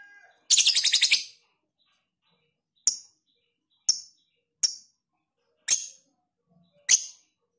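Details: Lovebird giving long ngekek song with tight pauses, recorded for tutoring; a rapid, harsh, high-pitched pulsed chatter of about ten beats lasting under a second, followed by five sharp single chirps at irregular intervals.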